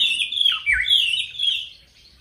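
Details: White-browed robin-chat (Heuglin's robin), one of quite a number present in southern Africa, sings its distinctive rich, high warble of slurred whistles, with several notes dipping downward, over a quiet background.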